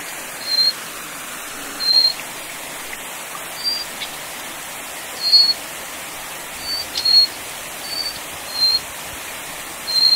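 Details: A Little Forktail (Enicurus scouleri fortis, the Taiwan endemic subspecies of mountain streams) gives brief, thin, high-pitched whistled notes at irregular intervals, about one every three seconds, over the steady rush of a fast stream.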